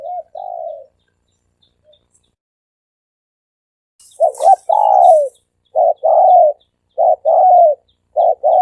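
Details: Lure recording of a dove: one coo, a long pause, then four quick phrases of clipped notes and falling coos, with a brief high hiss at the start of the run.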